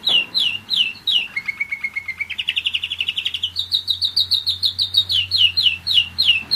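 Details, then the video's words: Pet German Roller-split canary aged one year singing: falling whistled notes, a low steady roll, a rising rapid trill, then a long series of high chirped slurs, with a faint low hum behind. "german roller-split canary"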